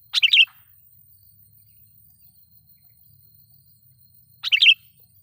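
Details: Two short, bright, warbling bulbul phrases about four seconds apart. The loud sooty-headed bulbul lure recording is meant to draw and provoke wild birds of its kind.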